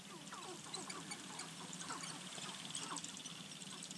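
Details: Sharp-tailed grouse displaying on a lek at Namekagon Barrens Wildlife Area, Wisconsin, 5-04-2015; many faint short clucks and cackling notes overlap from several birds, scattered densely throughout, with a steady high hiss in the background.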